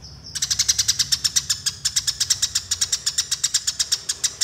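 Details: Eurasian tree sparrows in a fight, used as a training model for other songbirds: a fast, steady run of sharp, high chirps, roughly eight a second, continuing without pause for about four seconds.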